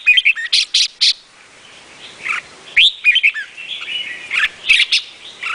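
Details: Red-whiskered bulbul of the Vietnamese type, singing loud, bright chirping phrases in bursts of quick rising and falling notes, with short pauses between groups. No other sounds stand out.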